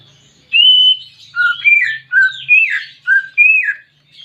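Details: Pet greater green leafbird (cucak ijo) song used as therapy for a bird reluctant to sing: rich whistled notes alternating high and lower, slurred and falling, about six loud phrases in quick succession with a faint low hum early on.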